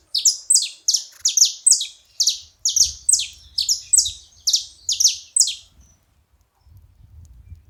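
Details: Saffron finch calling at a feeding spot: a quick series of about fourteen sharp, high, downslurred chirps, roughly two per second, ending near six seconds, followed by faint low rumble.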